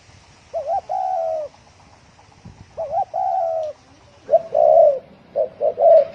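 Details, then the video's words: Spotted dove in the 'thổ còi' style with rapid cooing: two clear phrases of a doubled short hoot and a drawn-out soft coo, then a faster run of clipped coos at the end. "Tiếng chim cu gáy thổ còi tốc độ gáy cực nhanh"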